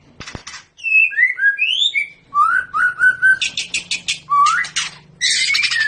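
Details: White-rumped shama of the long-tailed Medan type, paired for breeding, delivering clear slurred whistles in descending steps, a series of repeated falling notes, then rapid buzzy chatter and loud rising whistles.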